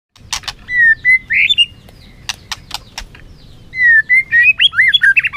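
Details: White-rumped shama singing competitively and flicking its tail: bright whistled notes, several flat and several rising into twisting phrases, broken by sharp clicks, with a louder burst of varied whistles near the end.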